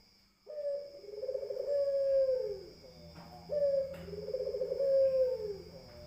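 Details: Barbary dove (puter) giving two long, low coos, each opening with a sharp note then a rolling, slightly falling purr, about three seconds apart; a steady high electronic whine runs throughout.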